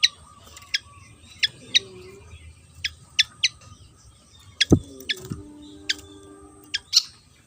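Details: Javan fantail: a scattered series of short, high, piercing notes. Low thumps and a faint humming tone sound partway through.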